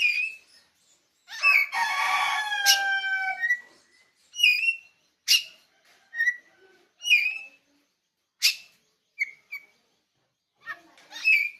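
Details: Oriental magpie-robin (kacer) of Bali, Pupuan, giving a rich opening phrase of several slurred whistles followed by a run of short, sharp, separated chirps and whistled notes at irregular intervals.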